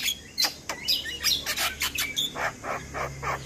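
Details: Javan myna singing in the morning: a fast run of harsh, chattering chirps and sharp squeaky notes, then a series of rougher, evenly spaced rasping notes. A faint low hum sits beneath.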